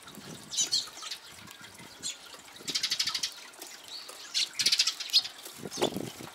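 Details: Eurasian tree sparrows (Passer montanus) at a homemade bird feeder on Jeju Island give bright, scratchy chirps in quick bursts every second or so, over soft tapping and a faint watery background.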